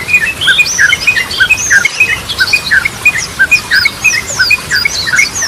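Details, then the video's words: Yellow-vented bulbul singing, its Goklikan, Ropelan and Garudaan styles used to coax stalled birds. Quick bubbly chips repeat about three per second, with sharp high slurred whistles above. "Ragam Suara Burung Trucukan || Goklikan, Ropelan, Garudaan Cocok Buat Pancingan"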